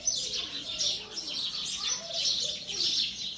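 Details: Sparrows chirping in a dense, continuous chatter of high, overlapping tweets that swell and fade every second or so, with no other clear sounds.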